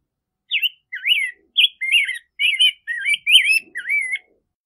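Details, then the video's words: Song of the rose-breasted grosbeak, a fluent string of about eight rolling, whistled notes that swoop up and down, delivered over roughly four seconds. "Rose-breasted Grosbeak Singing - Degollado/Picogrueso Pechirrosa Cantando"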